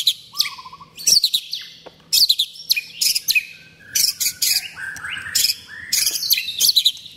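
A white-rumped shama sings a rich, varied song of clear whistles mixed with sharp, chattering notes.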